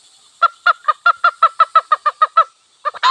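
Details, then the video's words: A red junglefowl in a village, recorded with wild hens and cocks, gives a quick run of about a dozen hoarse, nasal clucks, some six per second, then a short pause and a few more. "Sound of wild hen and cock"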